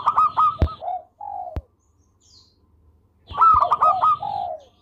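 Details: Local zebra dove, an active singer with a sweet voice, used as tutor recording: two bursts of quick stuttering coos ending in drawn-out lower notes, with a pause between them and two sharp clicks.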